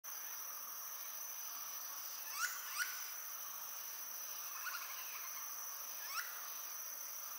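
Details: Seven Great slaty woodpeckers together at dusk in Garbhanga forest, Guwahati, on 16 November 2019, calling while feeding and flying between trees: short sharp harsh notes, singly or in quick pairs, over a steady high insect drone.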